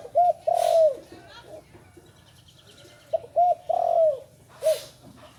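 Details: Young spotted dove only recently learning to call, recorded in low light. Two cooing phrases, each with two short hooked notes and then a longer drawn-out falling coo, about three seconds apart. Brief hissy noise bursts are also heard.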